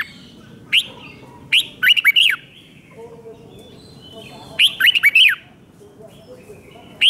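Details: Red-whiskered bulbul in Thailand giving its five-syllable song, played so young birds pick it up. Single sharp whistled notes lead into two quick phrases of four to five arched, liquid notes, with another lone note at the end.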